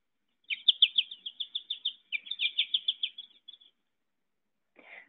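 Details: American Goldfinch song, typically given in flight, from central Wisconsin backyards: a quick run of bright, high twittering notes, about five a second for three seconds, like 'po-ta-to-chip'; a brief rustle follows.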